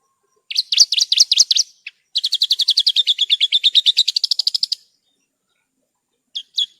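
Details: Horsfield's bush lark (branjangan) in cage-bird training material: warbled, bouncing notes followed by a long, fast, steady trill of bright notes, then silence and two closing chips.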